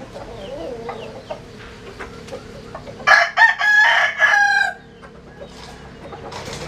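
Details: Japanese and Cuban bantam cross rooster crowing strongly: a harsh, ringing crow of about one and a half seconds, opening with two short bursts and then held steady before stopping abruptly, against low background noise.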